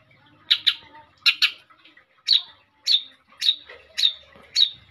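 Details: Lively long-tailed shrike singing, suited to prompting other birds: a series of sharp, harsh, high chack-like notes, some paired, repeated about every half second, over a quiet low background hum.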